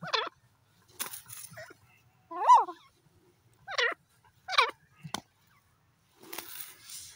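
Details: Grey francolin (desi teetar) in a forest, calling in loud, ringing notes that sweep up and down, given about once a second with short gaps, then a brief rustling noise at the end.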